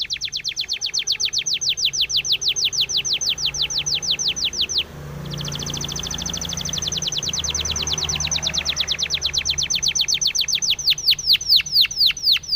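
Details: Spanish timbrado canary training song: long fast trills of evenly spaced high notes, a brief change of tone, then another extended trill that breaks into sharper falling notes at the end.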